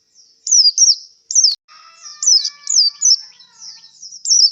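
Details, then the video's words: White-eye exhausted after a singing contest performance, producing high, quick falling whistles in separate bursts over faint, steady lower tones in the background. "suara pleci kelelahan setelah pentas lomba"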